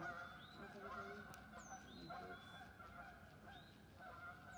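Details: Canada geese taking off from a pond in the woods of Northern Virginia in the morning, possibly after a disturbance, keep up a steady chorus of nasal, overlapping honks, with brief thin whistled notes from another bird breaking in.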